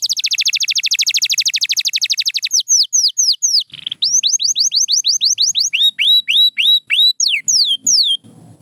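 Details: Pure white canary in full song: a long fast high trill, then varied downslurred whistles, a buzzy note and rising and falling slurred phrases, with faint low rustling near the end.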